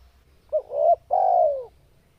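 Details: Single phrase from a vigorously calling spotted dove in breeding condition: a short hoot, a rising mellow note, then a long smooth coo falling in pitch at the close.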